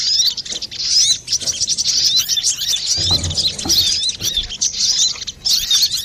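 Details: Brown-throated sunbird singing busily and clearly, a recording meant for trapping or training birds; thin, high twittering of fast looping notes runs throughout, with a soft low rumble near the middle.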